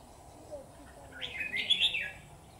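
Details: Red-whiskered bulbul at a bulbul trap, heard as a single rising-then-warbling whistled phrase after a quiet start.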